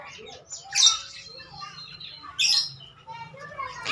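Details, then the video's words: Javan myna (jalak kerbau), a talking bird, gives harsh buzzy bursts around one and two and a half seconds, separated by soft low warbles and chatter. "Jalak kerbau Pinter bicara"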